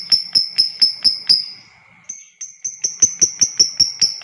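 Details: Lovebird giving a long ngekek to provoke other lovebirds: rapid bursts of piercing, high, clicking chirps at about four per second. One run stops, a short pause follows, then another run starts and holds steady.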